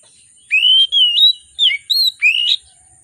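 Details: An oriental magpie-robin in excited song, used to stir silent birds into singing: long pure whistles that rise and sway, then short clipped notes and a final upward slur, spread over about two seconds.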